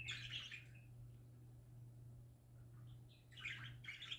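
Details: Happy pet parakeets singing: a burst of bright, scratchy warbling at the start, a quiet gap with a few soft chirps, then two more chattering bursts near the end, all over a steady low electrical hum.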